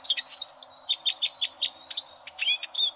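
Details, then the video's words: Eurasian siskin song for competition canary training: a quick series of sweet, slurred whistled notes about every tenth of a second, ending in sharper chirps. "Suara Burung Eurasian Siskin Untuk Masteran Kenari Lomba"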